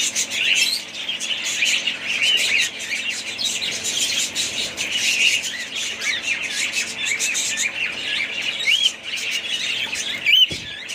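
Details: A family of caged budgerigars keeps up a lively warbling chorus of quick twittering notes and rising squeaks, steady throughout, with a sharp click near the end.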